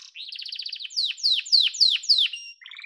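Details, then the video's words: Yellow domestic canary song: a fast rising trill followed by five loud, sharply descending whistled sweeps at even spacing, ending in a short lower trill. "Muhteşem Kanarya Sesi: Sarı Kanarya'nın Efsanevi Ötüşü"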